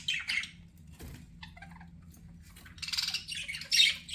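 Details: Pet budgerigar giving short scratchy chirps at the start, near-quiet in the middle with a soft thump, then a louder burst of rapid, grating chatter toward the end.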